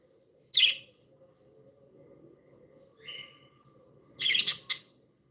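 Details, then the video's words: Pet budgerigars described as happy and playful: a few sharp high chirps and squeaky bursts spaced by quiet gaps, one brief thin whistle in the middle, over a low room murmur. "Happy budgies sound"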